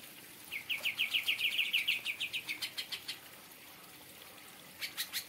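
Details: Greater Green Leafbird singing kapas tembak style in an aviary: a quick string of rising whistled notes that gradually fades, silence, then three sharp, loud high notes.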